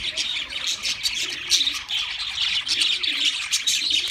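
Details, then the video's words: Kept budgerigars chattering in a lively, continuous warble of high, rapid chirps and scratchy squeaks, with faint low murmuring notes in the background. "Singing Sounds My Budgies Birds"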